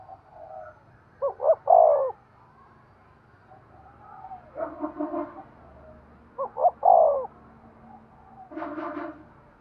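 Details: Spotted dove cooing to stimulate breeding: two loud phrases, each with two short hollow notes and then a longer descending coo, about five seconds apart. Quieter harmonic crowing-like calls fill the gaps between the phrases.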